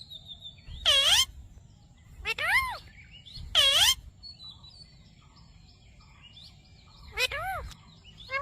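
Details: Ringneck parrot talking, saying "Mitthu Mitthu"; loud, harsh arched syllables in short bursts, with faint chirps between them.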